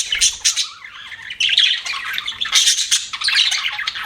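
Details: Budgies chirping and chattering: harsh squawky bursts mixed with scratchy warbled notes, a loud outburst near the start and renewed busy chatter after a brief lull, constant overlapping calls from several pet birds.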